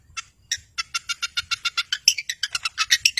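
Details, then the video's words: Long-tailed shrike singing as a provoker for silent birds: a steady series of clipped harsh notes, about five per second, growing gradually louder. "Cendet Gacor Si Pemancing Lawan Sangat Ampuh Mengatasi Burung Yg Membisu"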